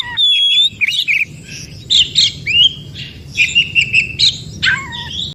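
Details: White-rumped shama song from the forest, used to trigger response from other shamas: a pure whistled tone opens, then spaced chirping and buzzy notes, a short rising slur and a falling whistle near the end.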